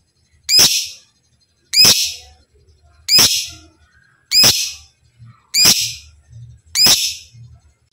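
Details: Lovebird kept for song training toward ngekek and ngetik styles: six shrill, raspy chirps spaced about every 1.2 seconds in a steady series, with faint low background hum between them.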